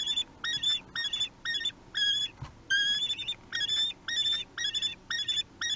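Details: Three-week-old common kestrel chicks begging at feeding time in a Théding nest, 8 June 2021; shrill wavering whistled squeals with a trilled edge, given in rapid regular bursts about twice each second, close and loud.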